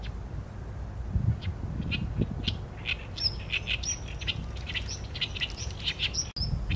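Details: Singing Oriental reed warbler, recorded on a Sony A7M3: a few scattered notes, then a rapid, rhythmic stream of grating, creaky syllables over several seconds, with a low rumble beneath.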